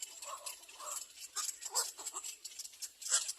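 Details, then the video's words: Little egret chicks in the nest calling for food, giving short harsh squawks and raspy screeches at irregular intervals, with a dry rattling hiss between them. "Baby bird little egr screaming for food"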